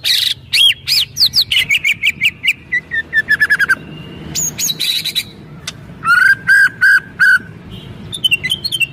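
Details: White-rumped shama kretekan meant to stir other birds: a mix of quick whistled slides, falling series of notes, steady mid-pitched whistles, and scattered clicks, with a soft background hum.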